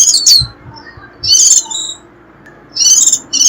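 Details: Warbling white-eye 'rít' calling to pull in wild birds: short high twitters with a falling slurred note, a few soft low knocks, a louder chattering burst, a lull, then two more bright bursts.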